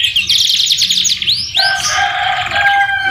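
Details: Canary (kenari) singing a masteran tutor song filled with white-rumped shama (murai batu) phrases: rapid rolling trills, then two sweeping upslurred whistles and a dense, buzzy warbled passage with a steady lower whistled tone.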